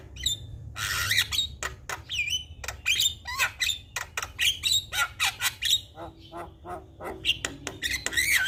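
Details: Javan myna in full-isian song, played to coax a mute myna into singing: a quick run of harsh squawks and clicks, with bent whistled notes and a steady low hum beneath.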